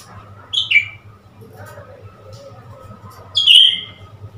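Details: Blue-winged leafbird, newly obtained and set playing with a mirror, utters a short falling twitter, a quiet pause, then a louder ringing whistle dropping in pitch, amid a soft constant hum.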